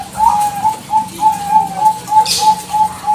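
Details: A Bangkok zebra dove calling without pause as a lure for other doves to respond: bright, evenly spaced whistled coos about three per second, rising and falling slightly, with one brief hissing burst midway.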